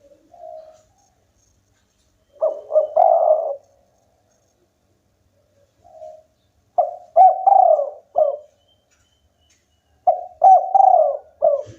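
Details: Local spotted dove singing vigorously, said to set rivals calling back; soft low coo, then three loud phrases of stacked, hoarse coos, each ending in a drawn-out note, spaced about four seconds apart in a quiet room.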